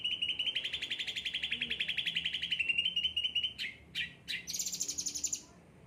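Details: An ocean green cucak ranting with a yellow head, frequently pampered, singing actively: a long rapid trill of evenly spaced pulses, then two sharp sweeping chirps and a final higher, brighter trill.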